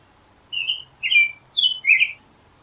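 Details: Four warbled whistled phrases of American robin song, given in two pairs, each phrase a brief downward-slurring carol, with faint low background hum.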